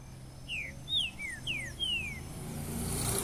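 A green-winged saltator sings a quick phrase of five clear, down-slurred whistles over about two seconds, with a low engine rumble behind.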